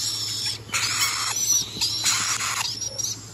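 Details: Rainbow lorikeet uttering long, raspy screeches in about three drawn-out bouts, loud and grating, over a faint constant hum.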